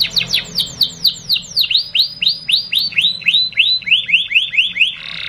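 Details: Canary lure song for young birds to learn: a long series of sharp, downward-then-rising whistled notes repeated about four times a second, loud and bright, ending abruptly.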